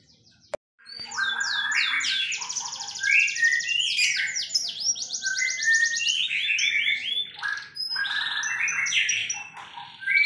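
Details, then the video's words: Super sharp 'tembakan' canary song: after a click, ten seconds of nearly unbroken loud singing, with rapid high trills, rattling rolls and brief whistled sweeps switching every second or so. "TEMBAKAN KENARI SUPER TAJAM"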